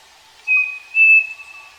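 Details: Striped cuckoo, known locally as saci, singing on a farm and recorded live: two clear, pure whistled notes in quick succession, the second held slightly longer, over a quiet background.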